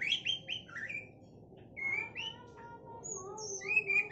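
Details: Quieter, more distant song from a captive Sabang white-rumped shama: bright, high chirped and slurred notes in quick bursts with short pauses, over a steady low rumble of background noise.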